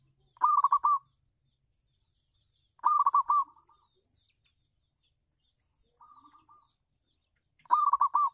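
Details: Local zebra dove singing on a house terrace, kept as a lure for other doves; short bursts of rapid, rolling cooing notes, bright and trilled, repeated every two to three seconds, with one softer phrase between.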